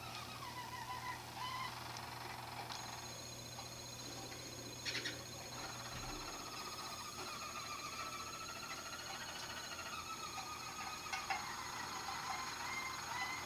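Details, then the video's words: Roller canaries performing at a song competition, first team to compete: long sustained rolling tones overlap, with a higher continuous ringing line above. Short bubbling notes come at the start, with a steady low hum that stops partway. "Roller Canary Song Competition"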